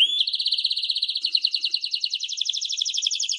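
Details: Canary in song: a brief clear rising note, then a smooth rolling trill that quickens into a dense, rattling high trill of rapid repeated syllables.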